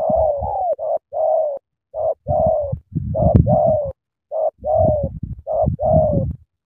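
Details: Spotted dove from Cà Mau, Vietnam, in a spirited sắm thổ cooing bout: mellow mid-pitched coos, some drawn out and gently falling, others clipped, repeated about once a second amid dull low knocks and rumbling.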